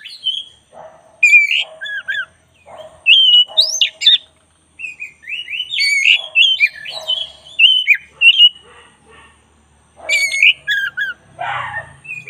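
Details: White-rumped shama, black-breasted type, in a long master-training recording: continuous varied whistling with sweeping slurs and sharp chatter, broken by short pauses, soft low buzzy notes between phrases and a rough burst near the end.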